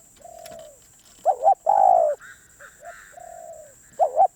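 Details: Spotted dove calls overlap here. Soft, level hoots alternate with loud stuttered coos and a long rich hoot, while a higher, brief twittering note from another bird appears in the middle.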